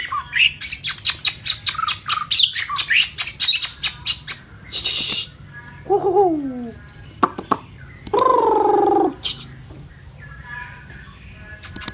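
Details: Vietnamese long-tailed white-rumped shama in vigorous, emotional song: a run of rapid sharp ticks and chips, a hissing burst, two nasal descending notes, and a loud harsh buzzy rasp among scattered clicks.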